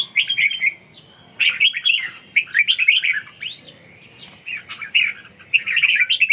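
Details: Red-whiskered bulbul kept in captivity, practising ché song while regaining strength. Bursts of rapid, slurred whistles come in three phrases, with short pauses and one sharp upward sweep between them.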